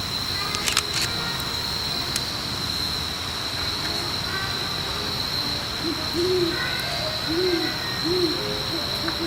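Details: Great horned owl, one of a pair in Forest Park, St Louis, defending territory: after a quiet stretch with a few clicks, four low hoots arrive in quick succession near the end, under continuous insect drone.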